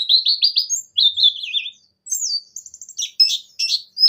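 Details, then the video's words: Buxtoni pleci (Javan white-eye) in mixed ngalas ngerol nembak song, played to coax other birds into singing: quick repeated high chirps, a wavering slurred phrase, then rapid trills and jumbled twitters. "Suara Burung Pleci Gacor Ngalas Ngerol Nembak,Bikin Pleci Buxtoni Gacor"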